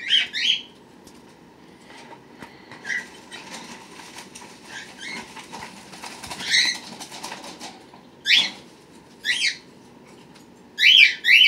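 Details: Pet birds with babies born March 31 and April 1, 2018, recorded April 23, 2018: ringing chirps at the start, then a long stretch of rustling wingbeats with soft calls, and sharp bright calls returning near the end.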